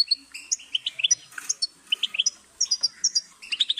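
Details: European goldfinch singing: quick bursts of high, tinkling chirps and short twittered notes, bunched in rapid groups with brief pauses between them.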